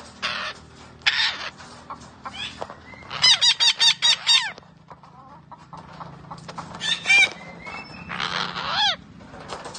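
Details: Green parrot, described as talking, giving harsh screechy squawks, then a rapid burst of loud ringing stacked notes midway, followed by further sharp squawks and chattering sounds.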